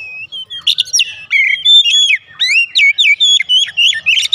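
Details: Oriental magpie-robin lure song meant to set off other magpie-robins: continuous lively stream of loud whistles, upslurred notes and rapid chips, repeated several times each second.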